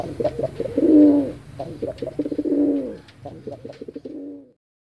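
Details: Pigeon calling vigorously with deep, burry cooing phrases, each swelling coo trailed by short stuttering pulses, repeated several times before falling silent.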